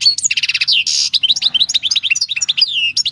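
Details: European goldfinch caught in the wild in 2018 singing loudly: bright slurred notes, a buzzy rattle and a harsh nasal buzz, then a long run of liquid rising and falling twitters.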